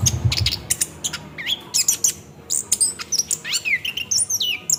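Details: Lure recording of orange-headed thrush 'ngerol' song meant to make birds sing: rapid clicking chips give way to high, looping whistled phrases and upward slurs, delivered almost without pause.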